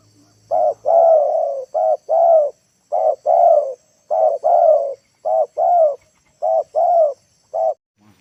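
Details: Spotted dove lure calling to bring wild birds down to the ground, a long run of low paired coos, short then long, repeated steadily about every 1.2 seconds, seven pairs in all.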